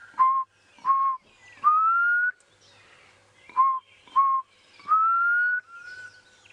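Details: A Black Cuckoo calling close overhead near sunrise on a safari drive, 4 November 2016, gives its mournful whistled phrase twice: two short low notes, then a longer note slurring upward, like 'I'm so sad'.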